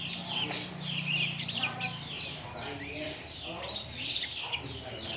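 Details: Oriental white-eye singing to lure other birds into song: high, sweet twittering phrases of quick slurred notes with sharp accents, over a low hum that fades after two seconds.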